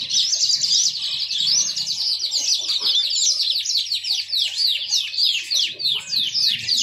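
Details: A yellow-fronted canary sings a long run of quick, repeated down-slurred chirps, several each second, forming a bright rolling warble over a soft low hum.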